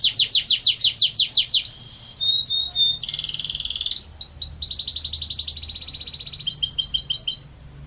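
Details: Rolling canary song: loud quick descending notes repeated about eight times a second, brief high pure whistles, then long buzzy rolls and rapid pulsed trills at high pitch.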